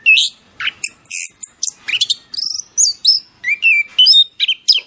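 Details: Masteran training song from a bird: a lively mix of quick whistled slurs, high squeaky notes and short chattering phrases, each separated by tiny silences.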